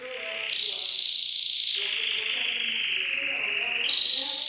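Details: Canary song with soothing trickling water, from a long Indonesian compilation: a sustained, bright, high roll that shifts pitch slightly midway and climbs again near the end.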